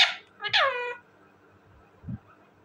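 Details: Talking parrot: a short harsh burst opens, then one drawn-out, richly harmonic vocal sound lasting about half a second that slides downward in pitch, followed by quiet room tone and a soft low thump near the end.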